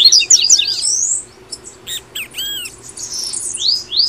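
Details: Brazilian double-collared seedeater, song called tui tui, meant to spur caged birds into singing: fast high twitters and rising slurs, then a quieter gap with a few arched chirps, ending with sharp upward-sweeping whistles.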